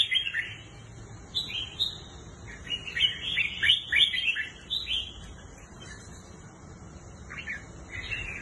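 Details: Red-whiskered bulbul, a kept bird offered for sale, delivers bursts of bright, chattering whistled phrases, loudest in the middle, then short rising notes after a pause, against a steady low hum.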